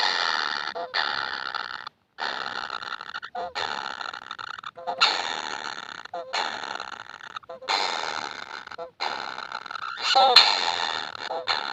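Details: Begging kingfisher chicks repeat buzzy, grating rasps, roughly one per second, each ending with a short lower note, over nearly twelve seconds.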